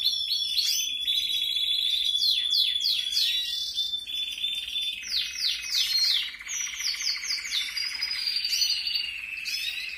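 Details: Canary chicks being fed beg with rapid, high, buzzy chirps and quick falling squeaks over a steady thin trill, calling nearly continuously, with no other sounds.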